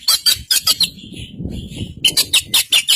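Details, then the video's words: White-rumped shama of the Kacer Poci form from East Java, a masteran recording with varied song. Fast bursts of sharp, high chattering notes repeat about five times a second, a quieter pause of low rustle, then another run of bright notes. "Burung Kacer Poci Jawa Timur Full Isian"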